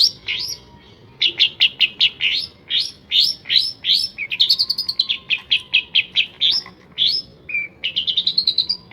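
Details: Long-tailed shrike (pentet) in rich, varied mimicking song said to copy sparrows, white-eyes, prinias and other birds; fast, dense, chattering runs of short high notes, rattles and slurred whistles, changing pattern throughout.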